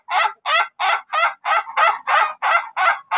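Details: Crowing Ayam Ketawa rooster of the long-duration type during training; ten harsh, broad cackling syllables delivered in a steady, slightly slowing rhythm, like a hoarse laugh.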